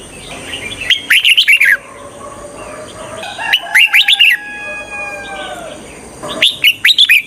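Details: A red-whiskered bulbul decoy for luring wild bulbuls repeats a lively warbled phrase three times, roughly every two and a half to three seconds, with faint drawn-out whistled tones between phrases and a steady high hiss.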